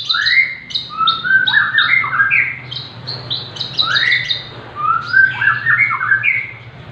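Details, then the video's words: A six-month-old Javan bush lark sings hard, the sort of bird used as a song tutor or to spur others on: varied phrases mixing high chips with lower, rising and falling slurred notes, almost continuous, somewhat squawky in texture. "burung branjangan javanica usia 6 bulan gacor cocok untuk masteran atau pancingan"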